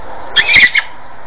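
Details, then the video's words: Talking parrot: a brief, half-second burst of raspy, nasal, high-pitched speech-like syllables over a faint steady hiss, from a parrot that recites blessings upon Muhammad and his family. "ببغاء تنطق بالصلاة على محمد وال محمد (ع)"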